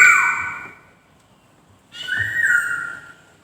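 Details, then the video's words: Brief white-crested laughingthrush song: a falling whistled note fades out, silence, then a clear rising whistle that levels off and dies away. "BURUNG POKSAY DENGAN BERKICAU MERDU"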